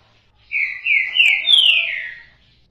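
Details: Green-winged saltator giving one loud, rich whistled phrase of about two seconds, a sustained clear tone stepping upward through slurred segments then gliding gently down and fading out.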